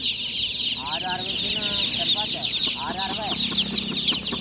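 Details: A crowd of just-born chicks chirping loudly at night, their thin high peeps forming a steady wall of sound, crossed by several lower harmonic voice-like calls in the middle.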